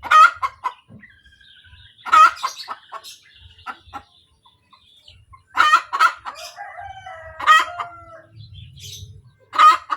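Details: Hen cackling after laying an egg: loud rasping bursts recur every two seconds or so, each with trailing clucks, while a faint drawn crowing-like tone sounds in the background.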